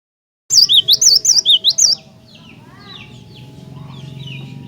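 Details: Cinereous tit singing vigorously, used to provoke other tits into song: a quick run of about eight loud, sweeping whistled notes alternating high and low, then fainter chirping from other birds in the background.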